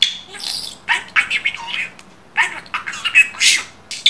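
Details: Pet budgerigar talking in Turkish, imitating phrases such as 'I am my mother's son, I am a smart bird'; high, scratchy chattered syllables come in two bursts separated by a short quiet gap, ending with a thin whistled note.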